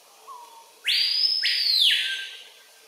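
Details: A single very loud scream from an adult male screaming piha singing on a lek, Kourou, French Guiana, September 2023 midday: a sharp upward-sliding whistle, then a long piercing note falling away, after a faint low whistle.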